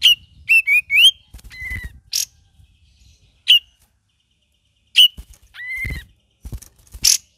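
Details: Cream-vented bulbul delivering gacor and ngeriwik song: scattered short whistled notes and quick rising chirps, some paired falling whistles, with sharp high notes, soft clicks and silences between bursts.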